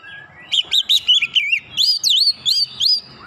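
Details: Oriental Magpie-robin song played as a lure to provoke a strong response: loud, clear whistled phrases, first a chain of quick wavering notes, then swooping up-and-down whistles each under a second long.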